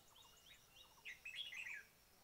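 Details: Red-whiskered bulbul from a bird-trapping recording: faint chirps, then a loud, fast, bubbling run of whistled notes near the end, with other small birds twittering quietly behind.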